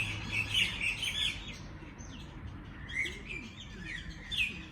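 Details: Birds singing in the morning: bright, quick chirps and short twittering phrases in bursts around the first second and again near three and four and a half seconds, with several overlapping callers over a low rumbling background.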